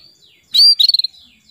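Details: Female canary calling to a male: one clean, high whistled note held briefly, then four or five fast clipped chirps, clear and close with a quiet background.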